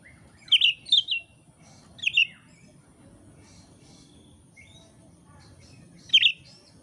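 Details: Indonesian oriental magpie-robin, used as training material for songbird keepers: a cluster of quick sharp chirped notes, one more a second later, faint soft notes, then a final bright chirp, over low steady noise.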